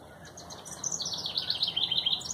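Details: Wren singing her heart out in a garden on a morning after heavy dew: a fast, high-pitched outpouring of trills and rattling notes tumbling together without pause, over a faint hiss of background noise.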